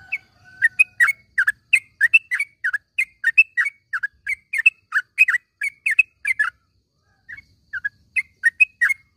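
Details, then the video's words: Morning chatter of a yellow-vented bulbul, played to coax caged bulbuls back into voice. A faint steady tone opens, then a long string of bubbly, tumbling chirps, a brief pause, and more chirping. "panggilan suara trucukan di pag hari ini ampuh buat masteran burung trucuk macet bunyi menjadi gacor"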